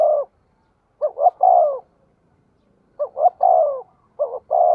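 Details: Spotted dove kept as a decoy, cooing: a clipped double note then a longer descending coo, given three times about a second apart, with a quiet background.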